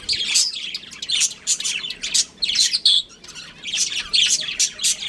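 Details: A breeding pair of pet budgerigars keeps up a lively stream of high, raspy chirps and squawks in quick irregular bursts, with a short lull near the middle.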